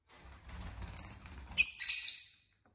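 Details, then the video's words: Pet lovebirds relaxing at home, a colourful group of six: a faint rustle, then a piercing high chirp followed by a rapid cluster of shrill, chattering squeaks. "love birds sounds"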